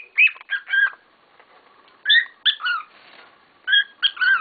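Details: Several pet cockatiels calling noisily together: bursts of short, harsh chirping notes with a strong overtone, in quick groups of two or three separated by brief pauses.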